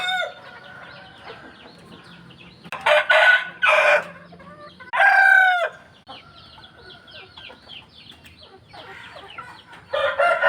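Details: Roosters at dawn trade loud, rough crows in short bursts, with long quieter spells of high chirps and birds singing in the morning between them.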